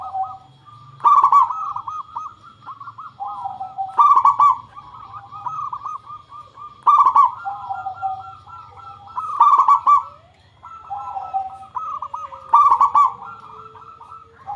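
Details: Local zebra dove singing steadily as a lure to make other doves answer: a rolling, staccato series of soft cooing notes, each phrase opening with sharp clicky notes, repeated about every three seconds with overlapping coos.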